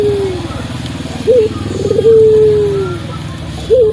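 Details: Local Barbary dove, a keen singer with a deep, melodious voice, played to prompt silent doves to sing; brief upturned notes and one drawn-out descending purring coo rise above a steady background rumble.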